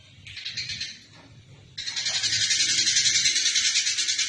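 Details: Fighting Eurasian tree sparrow, recorded to train other songbirds. A short scratchy chatter comes first, then a lull, then a loud continuous run of rapid, buzzy pulses, about three or four each second.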